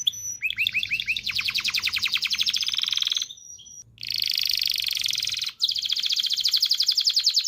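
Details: Excited canary singing to encourage mating: looping swoops lead into a rapid rattling trill, a brief break, then long, fast buzzy trills.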